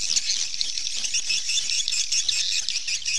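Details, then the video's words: A dense wall of high swallow chatter, unbroken and fairly even in loudness, from many birds calling together. "เสียงนกนางแอ่น Swallow Sound"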